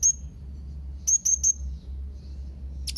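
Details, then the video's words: Young Blue-crowned hanging parrot calling out to rivals: one high, piercing squeak, then a quick run of three similar thin notes, followed by quiet and a sharp click at the end, over a faint low hum. "SERINDIT MUDA GACOR MEMANGGIL LAWAN || Serindit lain Pasti Nyaut mendengar Suara serindit ini"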